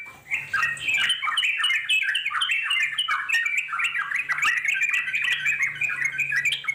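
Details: Wild Yellow-vented Bulbul (trucuk) giving long continuous chattering song (ngeropel panjang): dense, bubbly run of rising and falling notes, unbroken throughout, with a faint low hum beneath.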